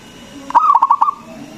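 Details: Strong-voiced local zebra dove song used as a lure to stir other doves to sing, a single rapid phrase of rolling, staccato cooing notes lasting about half a second against a quiet background.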